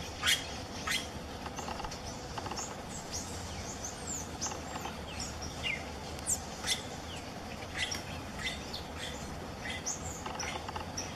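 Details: Plain parakeets visit a backyard feeder in the Atlantic Forest to eat banana. Several birds give short, high, scratchy chirps in irregular, overlapping bursts over a steady low hiss.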